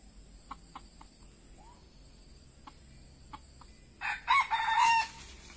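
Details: Red junglefowl used as a decoy to lure wild birds; a few faint clicks and soft notes, then near the end one short, hoarse, broken crow rings out over quiet background hiss.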